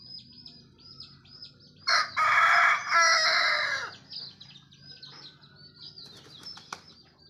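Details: Chicken crowing as morning approaches, signalling the day's start. A loud, strained crow comes in two bursts over about two seconds. Soft, rapid, high chirping runs underneath the whole time, with a faint later call.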